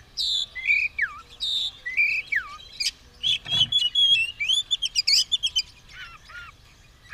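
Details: White-rumped shama, caged, ready to fight with tail spread, pouring out loud whistled song: falling slurs, rapid rising sweeps and dense chattering notes, with one brief low thump.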